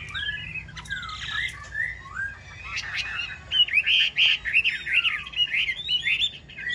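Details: Yellow-billed Chinese hwamei in a cage gives rich, fluid song: wavering whistles, then a fast series of rising and falling slurred notes near the end.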